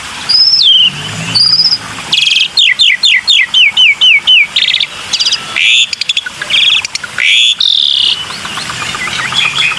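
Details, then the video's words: Black-winged myna lure sound: two looping whistles, then a fast run of six or seven descending whistled notes, followed by harsh rattles and buzzy blasts that continue to the end. "PANCINGAN SUARA BURUNG JALAK PUTIH"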